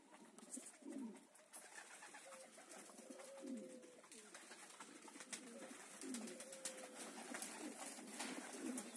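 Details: Meulemans homing pigeons give soft, low, rolling coos every few seconds against steady background noise and scattered clicks.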